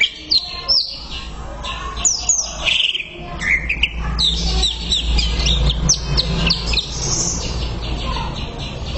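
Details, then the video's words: Greater green leafbird song for bird training, with rapid sweeping whistles and downward slurs in quick succession, accompanied by a steady low rumble in the background. "MASTERAN CUCAK IJO"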